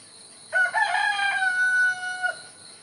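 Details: Rooster crowing in the morning in the countryside: one loud, drawn-out crow of nearly two seconds, harmonic and slightly hoarse, with a stuttering start and a falling close, over a faint steady background hiss.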